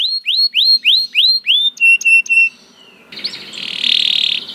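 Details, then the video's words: Canary, described as a lazy bird that sings right after hearing another canary: six quick slurred whistles rising then falling, three flat ringing notes, a short pause, then a dense buzzy trill. "The Lazy Canary Sounds Immediately After Hearing the Sound of the Canary This One || Voice of Canary"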